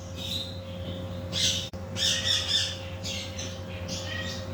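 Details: Macaw parrot uttering coarse, grating squawks, a loud burst near the start then a cluster of harsh notes and a final shorter call, over a continuous low hum and a faint steady tone.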